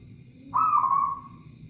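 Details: Local zebra dove kept as a lure bird, giving a single wavering, gently falling cooed note of about two-thirds of a second, clear and tonal, over a faint low background hum.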